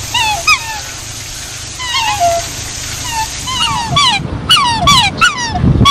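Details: Black swans, native to Australia and found on lakes, rivers, lagoons and coastal waters, give mellow bugling calls that bend and slur downward, several voices overlapping about once a second, with sharp knocking noises near the end.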